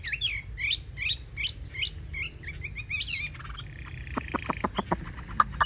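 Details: Chinese hwamei kept in a cage, singing: quick repeated short whistled notes in a rolling series, a rising sweep, then a sequence of sharp dry clicks.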